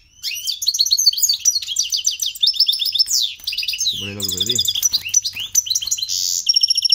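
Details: Goldfinch × canary hybrid (mixto), caged, singing up close as the keeper moves nearer: rapid continuous twittering of high chirps, trills and slurred whistles, briefly interrupted by a man's voice midway, then fast repeated ticking notes.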